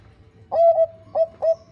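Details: A female zebra dove of the Bangkok type calls to a male with a short sustained coo and two quick mellow notes, clean against a quiet low hum.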